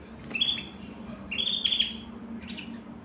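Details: Canary, a white canary in the United States, singing short bright chirped phrases at a steady high pitch: a brief burst near the start, then a longer, quicker warbling run, and a faint final note over a low steady hum.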